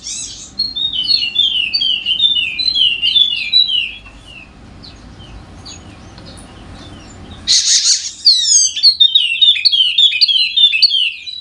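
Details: Wallacean white-eye with a golden head, a Sumbawa endemic, delivers a fast twittering song used as a lure for reluctant singers: high slurred notes over a low room rumble, a pause, then a loud burst and renewed chattering.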